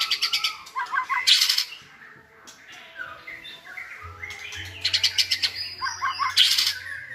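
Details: White-rumped shama song played to train a young shama to sing: bursts of rapid, loud repeated notes alternating with quieter varied whistled phrases, with a low hum partway through.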